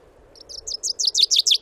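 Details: Common chaffinch in the Wittlicher Tal, 2018, starting a song: a handful of high, sharp notes swelling in loudness and quickening, cut off before the final flourish; a soft low background hum.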